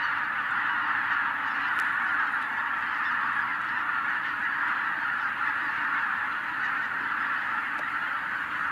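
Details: Continuous clamour from a vast wild goose flock of tens of thousands birds scattered by a white-tailed eagle, the overlapping calls holding an even, roaring level, with occasional faint clicks.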